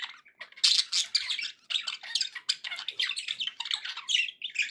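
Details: Nonstop budgie chatter: harsh squawky bursts and rasping warbles packed tightly with barely a pause, offered as company for a pet parrot.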